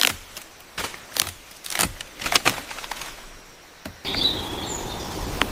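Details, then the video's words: Woodpecker's signature double knock, sharp woody strikes with the second always weaker, spaced irregularly while hunting in a forest; a faint bird whistle rises over background hiss at the end. "Woodpecker drumming"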